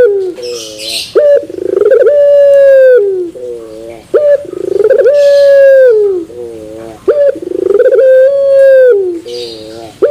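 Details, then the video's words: Puter pelung turtle dove singing in the terasan bermetal style: deep, rich cooing phrases, each opening with a sharp note and then a long, steady hollow coo that falls at the end, repeated about every three seconds. "Puter Pelung Terasan Bermetal"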